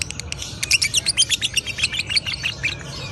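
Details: Lovebird chattering in the ngekek style, with an uneven burst of quick, squeaky high chirps and twitters that rises and then fades over three seconds.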